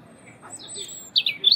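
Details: European robin in winter song: a long thin high whistle held briefly, then a quick burst of sharp, tumbling high notes at the end.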